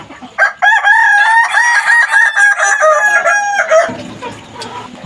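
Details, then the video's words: A learning Kukuak Balenggek cockerel, a Minangkabau crowing fowl, delivers a long, strained crow lasting over three seconds. The crow wavers through several pitch steps and drops at the end, followed by low farmyard rumble. "proses belajar koko ayam kukuak balenggek"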